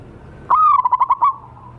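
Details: Single phrase from a wild local zebra dove used as a lure: a rising clear coo that breaks into five or six rapid pulsed notes and then fades into a soft tail.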